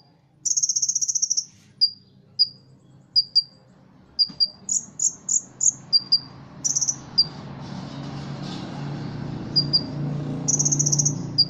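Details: Ruby-cheeked sunbird singing, with cricket and Cililin imitations woven into its song. Opens with a dense, high buzzy rattle, then spaced sharp chips and whistled notes, and ends on another rattle as low background noise rises.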